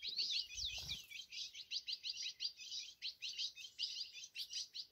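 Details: Ultramarine grosbeak in a cage, perched on the cage side and singing a rapid, unbroken run of sharp twittering and warbling notes, evenly pulsing, with a short low knock at the start.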